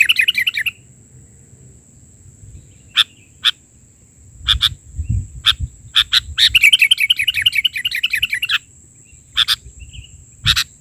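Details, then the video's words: Sooty-headed bulbul singing vigorously in the 'bahari' version of 'isian' filler song. A rippling trill opens and later returns as a longer warbled run between spaced sharp chips, with a low thump in the middle and a steady high whine. "Suara isian...burung kutilang gacor versi bahari"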